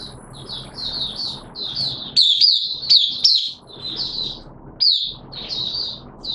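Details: Caged oriental white-eye singing in wet weather on 6 September 2022, kept as a hobby songbird: rapid high chirped phrases in a continuous warbling run, with a few louder sharp accents and a faint low rumble beneath.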